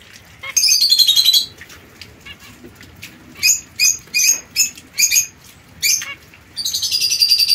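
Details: Young zebra finch pair, white female and mosaic-coloured male, kept caged apart from other birds, 22 September 2024: a nasal harmonic call sliding downward, then seven short bright beeps, ending in a sustained buzzy, ringing stretch.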